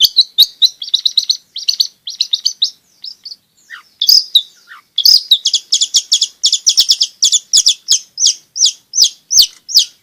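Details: Long-tailed shrike singing nonstop, played to coax reluctant shrikes into singing and to tutor young birds: rapid bursts of sharp, high chattering notes, some sliding downward, in a dense stream with brief gaps.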